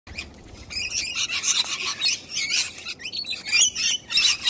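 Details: Hungry young cockatoo begging to be fed: harsh, raspy squawks repeated in bursts about every half second, high and noisy throughout.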